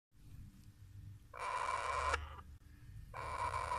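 Grey parrot chicks give two harsh, rasping, buzzy bursts, each under a second, against a low indoor hum.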